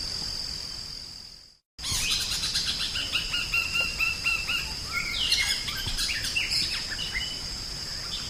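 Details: Drongo song for training songbirds: after a brief gap, a lively string of level whistles and chirps repeats quickly, with a swooping note midway, against a continuous high-pitched insect buzz.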